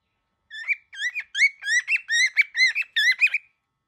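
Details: Very angry baby cockatiel calling in a rapid run of about eight rasping, rising-falling notes, each with a bent, whistled core, delivered in a steady chattering stream with no other sounds.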